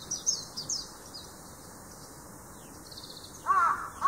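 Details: Large-billed crow giving a harsh, low caw twice near the end, after thin high chirps from other birds, over a steady background hiss.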